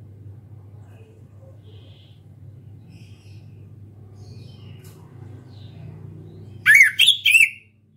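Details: Young orange-headed thrush learning ngeplong song, shy yet starting to sing often: after a long near-silent stretch with a low hum, three quick loud whistled notes burst out at the very end.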